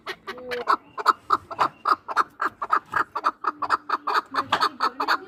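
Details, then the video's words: Fast chattering chuck-chuck notes from a two-year-old hunting chukar partridge of Norak, Tajikistan, tumbling out several per second in an uneven rhythm, with a soft voice underneath. "Кабки шикори"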